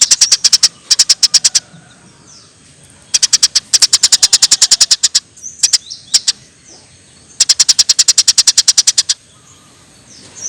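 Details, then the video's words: Eurasian tree sparrow chirping energetically, for training songbirds: three long rapid series of high, clicking chips, each a second or two long, with quiet pauses and a few single notes between. "Masteran Burung Gereja Gacor"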